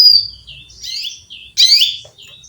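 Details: Female canary calling a male: a high whistled tone fades into softer chirps before one loud, sweeping chirp and quieter trailing notes.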